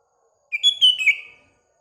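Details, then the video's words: Morning song of a sooty-headed bulbul: one brief, liquid phrase of a few rising and falling whistled notes, lasting about a second, in otherwise quiet surroundings. "Paduan Kutilang Dan Burung Sekelilingya (Bikin Gacor Bersaing)"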